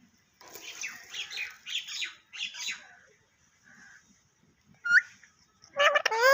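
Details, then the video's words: A talking parrot giving rapid, scratchy, speech-like phrases followed by a pause, a sharp rising squeak, and then a loud burst of wavering, warbling squawks. "Tota Boltay Huay Kesa Lag Raha Hai _Totay Ke Awaz"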